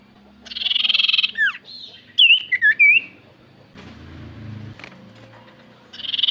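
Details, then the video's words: Lure song of a Common iora meant to prompt quiet birds to reply: a buzzy rasp, then quick looping whistled notes, with low rumbling hum and another rasp at the close. "Pancingan Burung sirtu cipoh gacor Paling ampuh cipoh diam pasti Langsung nyaut"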